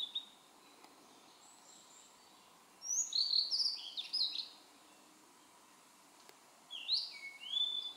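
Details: A Blue-and-white flycatcher sings in a dim valley on Mount Maya, Japan, on 23 June 2017: two short phrases of clear, high whistled notes with slurred, varied endings, a few seconds apart, over a quiet hiss.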